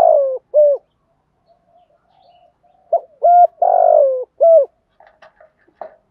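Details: A spotted dove, a decoy bird, calls in the morning: soft, low hooting coos, a quick pair, a pause, then a run of four throaty notes, with faint scratchy sounds at the end.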